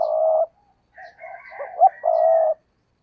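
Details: Spotted dove kept as a decoy bird, giving a low, hollow coo: a long steady note, a scatter of short broken notes, then another long drawn-out coo. Faint higher notes sound briefly in the middle.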